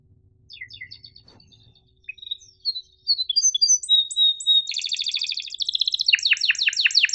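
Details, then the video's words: Training song of a canary in the sharp chirp-and-roll masteran style for slow-singing and young birds: thin scattered high notes build into dense rapid rolled trills and sharp descending chirps, faint low hum at the start. "MASTERAN KENARI GACOR PANJANG EPS24 Cuit NgeroL TAJAM, Untuk Kenari SUSAH BUNYI & Paud belajar bunyi"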